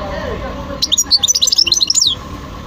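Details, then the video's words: Sweet, fast twittering song of a European goldfinch: a roughly one-second string of high, bouncing chirps over a soft, steady background hum. "تغريد حسون خلو"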